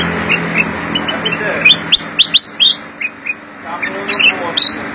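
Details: Sooty-headed bulbul (Pycnonotus aurigaster), song.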